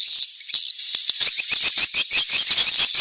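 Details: Swiftlet mating-chase call used as a calling lure: dense, buzzy high chatter with rapid rattling pulses at about 158 a minute, forming a continuous shimmering trill.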